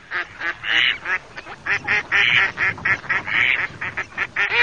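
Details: Mallard (Anas platyrhynchos), quacks.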